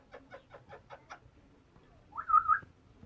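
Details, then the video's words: A very talkative pet African grey parrot gives six quick, soft clucking notes about five a second, then a louder rising, warbling whistle after a short pause. "Talkative African Grey Parrot"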